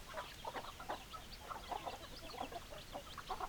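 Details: Flock of chickens with hens clucking in a steady stream of short, abrupt notes, some paired, spread evenly through the clip with many birds overlapping.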